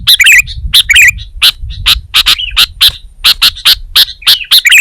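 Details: Kutilang, the sooty-headed bulbul, in vigorous song: a fast series of bright, harsh chirps, a few bending into brief whistled slurs, delivered in steady succession.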